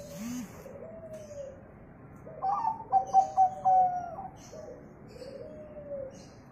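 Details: Local zebra dove song, used as a lure to get other birds singing: a burst of rapid, clipped mid-pitched notes running into a longer drawn-out coo, with softer lower coos from other doves before and after.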